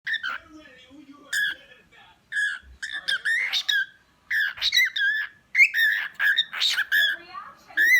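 A cockatiel chatters in quick bursts of bright, warbling whistles and squawky notes, pausing briefly between phrases, with a person's voice faintly nearby.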